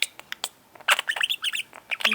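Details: Caged pet budgerigar indoors chattering: scattered clicks, then a burst of squeaky warbled notes and chirps, with faint human voice tones underneath.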